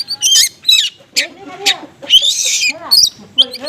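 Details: Oriental magpie-robin in konslet style with small-bird material, a lure for unresponsive birds: loud, rapid, mixed phrases of harsh rasps, sharp high notes and lower wavering tones, packed tightly together.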